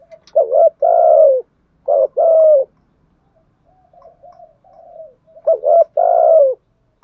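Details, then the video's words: Spotted dove working as a decoy to lure wild doves: a hollow double coo into a long falling note, two short coos, soft warbled murmurs, then the same phrase again. "chim cu mồi thúc gù bài bản nhất hiện nay, chim cu gáy kích bổi hiệu quả nhất hiện nay"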